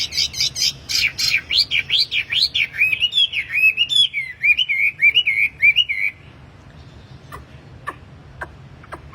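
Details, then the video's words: Lively, tame wambi in a cage sings as a lure for training other wambi: rapid bright chirps slide into a wavering whistled run, then fall quiet with faint clicks in the background. "BURUNG WAMBI GACOR || TERAPI PANCINGAN BURUNG WAMBI"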